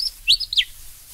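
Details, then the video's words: Willie Wagtail in Australia, one brief, quick phrase of two or three sweet, sharply slurred whistled notes. "Willy Wagtail"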